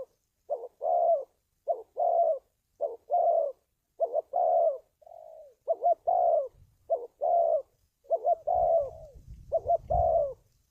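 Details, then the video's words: Spotted dove call used to lure wild doves into traps: a dense series of short double hoots and long falling coos, one softer slurred note midway, with low rumbling noise in the final seconds. "tiếng chim cu gáy luyện mồi kích bổi"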